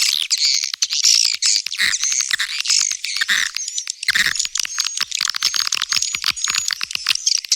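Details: Swiftlet calls for luring young swiftlets: dense high chatter at first, then rapid clicking chirps with drawn-out thin whistles repeated through the second half.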